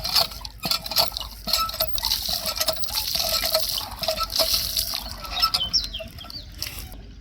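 Common myna song: a busy jumble of harsh clicks, chinking notes and liquid gurgles, with a few quick whistled slurs near the end.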